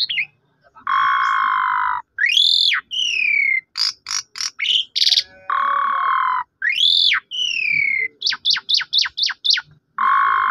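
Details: Asian pied starling song played to provoke a silent bird into singing: long steady buzzy notes alternate with loud rising whistles, sharp high notes and a quick run of six repeated clipped notes.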